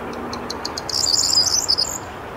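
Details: Evening song of a corn bunting, Rheindürkheimer Spieß nature reserve near Worms, Germany, 23 May 2022, 20:00: about eight sharp, accelerating clicks leading into a high, tinkling, jangling flourish like shaken keys, against faint low rumble.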